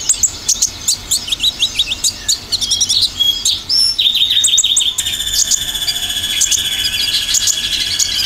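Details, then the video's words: Olive-backed sunbird lure song, dominant shooting style: rapid rising notes and chirps, then a fast descending series, followed by a loud continuous high buzzy trill. "Pancingan konin dominan tembakan"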